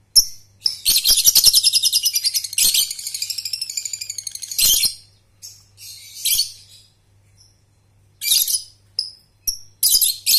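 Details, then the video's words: Lovebird ngekek lure for training young birds: a long rapid pulsed trill of high buzzy notes runs for several seconds, then breaks into shorter trilled bursts and thin whistled chirps, with a steady low hum beneath. "pancingan Lovebird Balibu/paud prospek"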